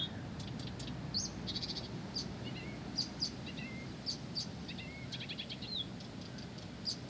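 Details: Blyth's reed warbler singing persistently: high clicks and short whistled notes, some sliding down, in a loose, varied sequence over a steady low rumble of background noise.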